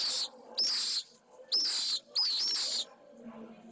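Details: Pallid swift nest in Jerez de la Frontera, Spain, with a newly hatched chick being fed; three loud bursts of high, shrill, trilling screeches, each under half a second, separated by short quiet gaps.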